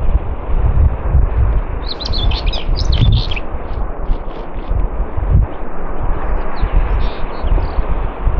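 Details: At Morte Hoe in Devon, UK, a common whitethroat delivers a quick, chattering, scratchy burst lasting about a second and a half, with heavy gusting wind roar throughout and faint further notes near the end.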